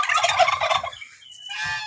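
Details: Domestic turkey where eight of ten turkey eggs have just hatched; a dense, rapid rattling gobble lasts about a second, followed by a thin high whistled note and softer harsh chatter.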